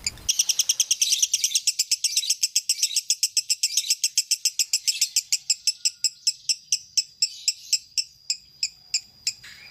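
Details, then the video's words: Lovebird in konslet-style song of long duration, meant for training songbirds: a dense, rapid, buzzy chirping trill that gradually slows and spaces out into separate sharp chirps toward the end. "Lovebird konslet durasi mulure"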